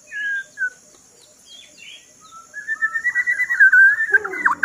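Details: White-rumped shama, called Murai Batu, presented as a fighter bird: clear whistled notes, first short separate phrases, then a loud sustained run of rapidly repeated whistles with a lower buzzy sound at the end.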